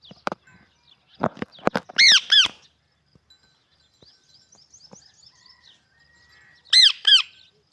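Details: Harsh, harmonic squawks from a pet parrot come in pairs, mixed with a few low clicks and brief soft twittering between the louder bursts.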